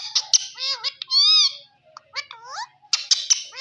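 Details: Indian green ringneck parrot talking, producing speech-like harmonic syllables with swooping inflections and a drawn-out vowel, interspersed with high sharp clicks and squeaky chatter.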